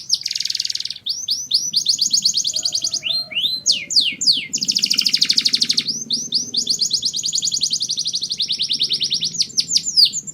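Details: Canary singing for mating: a continuous, fast song of rapid trills, buzzy rolls and sweeping high notes changing every second or so, with low background hum throughout.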